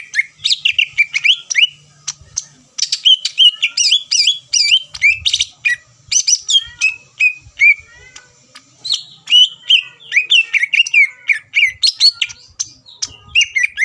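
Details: Long, energetic greater green leafbird song used to stir rival birds to answer: continuous quick whistles, chirps and slurred notes in varied phrases with scarcely any pauses.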